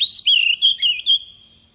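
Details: An Oriental magpie-robin kept as a decoy gives a short fragment of its wild-style song: a clear high whistle, then several quick slurred, warbling notes that fade within two seconds.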